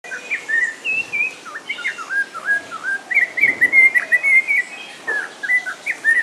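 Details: A captive snowy-crowned robin-chat (Cossypha niveicapilla) at Vogelpark Walsrode, Germany, sings a rich, continuous run of varied whistled phrases slurred up and down, with no pauses and little background noise.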